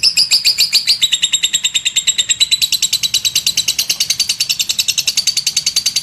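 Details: Lovebird in continuous ngekek chatter, a rapid, unbroken rattle of piercing, high clipped notes that steps slightly lower in pitch partway through and carries on steadily to the end.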